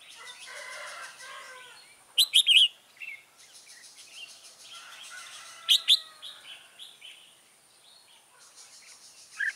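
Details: Decoy red-whiskered bulbul drawing wild birds toward a trap, 24 September 2017; crisp loud chirped bursts around two and six seconds among quieter rolling warbled notes, with a faint high-pitched background hum.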